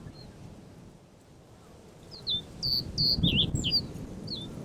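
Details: Male-plumaged Common Reed Bunting in black-headed breeding plumage singing in Japan; a short phrase of high, thin, clipped notes delivered in a quick uneven series after a brief pause, with low background rumble.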